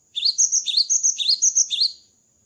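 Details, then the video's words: Cinereous tit singing actively after moulting: a quick run of clear, high two-part whistled phrases, repeated about every half second for nearly two seconds, then silence. "GELATIK BATU GACOR ‼️ KICAU GELATIK BATU SETELAH MABUNG"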